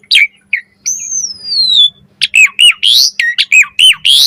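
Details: Asian pied starling singing varied phrases, used to teach other starlings and draw them into full song: a long falling whistle, then a quick run of sharp chirps and squeaky rising notes.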